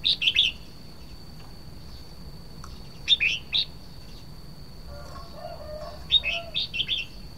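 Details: Red-whiskered bulbul singing short, lively phrases of a few chirpy, warbled notes, repeated roughly every three seconds, with a faint lower bird call in between and a constant thin high-pitched hum behind.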